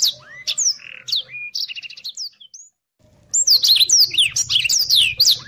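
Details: Black-throated Canary master song for training competition birds: scattered high whistles and a short stuttered trill, nearly a second of silence, then a dense burst of rapid high sweeping whistles and chirps, with a faint low hum.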